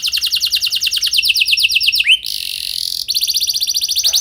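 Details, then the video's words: Canary song used to trigger singing in other canaries: a fast high roll, a harsh buzzy note lasting about a second, then the rapid roll resumes. "Pancingan Burung Kenari Biar Gacor Ngeroll Panjang! Pasti Nyaut Kenari Manasaja"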